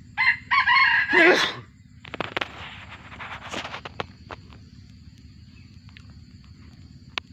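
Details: F1 junglefowl of wild descent, kept in captivity, crows in a quick harsh three-part phrase. It is followed by scattered clicks, knocks and faint rustling over a low steady hum.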